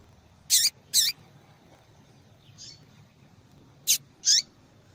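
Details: Two quick pairs of high, slurred chip notes from a female yellow-bellied seedeater, at the start and near the end, with a faint, softer note between them in a quiet setting.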